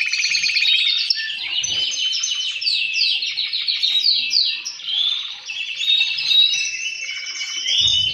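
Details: A fine male canary sings while other males answer him, a noise meant to encourage breeding. Chattering rolls and tinkling phrases give way to clear whistled notes, and the voices overlap continuously.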